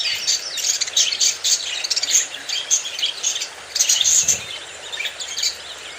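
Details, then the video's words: Several happy, very active pet budgerigars chattering together: dense, continuous high twittering and chirps overlapping throughout, with louder bursts of warbling around the middle and end. "happy budgies 🌈 are very active"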